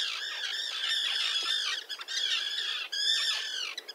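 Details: Common tern colony with young on a concrete slab near a sea mole, Liepāja, Latvia, June 2024: long, arched, grating screams, several overlapping, rising then falling, with a short dip between bouts.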